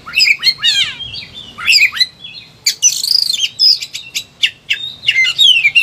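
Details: Oriental magpie-robin in agitated song, used as a master recording for training birds: twisting downslurred whistles, rapid trills and a brief harsh burst, phrases tumbling one after another with short gaps.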